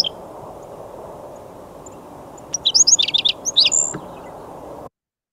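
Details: Black-throated Sparrow song recorded in the southwest near the end of the season as breeding picked up: two clear introductory notes, then a quick, high, tinkling trill of sharp repeated notes under two seconds, over a steady low hiss.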